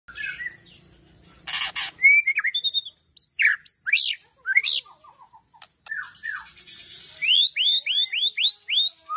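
Oriental magpie-robin singing a varied run of sweet whistles, rising slurs and scratchy notes, ending in a quick series of upslurred whistles; a harsh buzzy burst early on.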